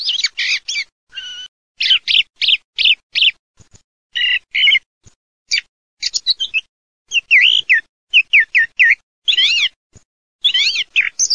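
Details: Song thrush singing in bursts of loud, bright phrases, several notes doubled or repeated in quick succession, with clear whistled and buzzy elements and short pauses between phrases; no other sounds heard.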